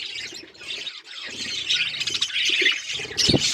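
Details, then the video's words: Budgerigars kept as pets chatter in scratchy, overlapping chirps, with a thump and low rustling near the end that may be wing movement. "Budgies beautiful colours birds chirping sound"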